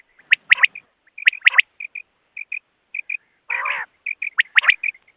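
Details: Common quail, described as trapped, giving a clear voice: short sharp clipped notes in quick pairs and triplets, separated by brief pauses, with one harsher buzzy note midway.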